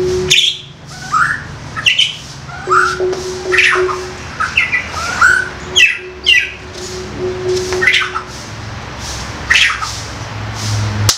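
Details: Young wild white-rumped shama giving harsh, squawky koar koar notes, repeated irregularly about every second or two, over a steady humming tone and faint room noise.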